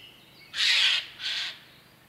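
Eurasian jay giving two harsh, rasping screeches, the first longer and louder, the second shorter, against quiet background hiss.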